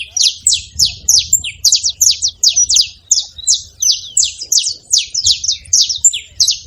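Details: A group of free saffron finches at a seed feeding spot, making noise: bright, high-pitched chirps repeated rapidly, about three each second, steady and overlapping, with a soft low background murmur.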